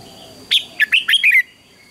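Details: One crisp song phrase from a red-whiskered bulbul during a morning singing contest, made of a strong whistled note and then four or five quick, liquid, slurred notes that fall at the end.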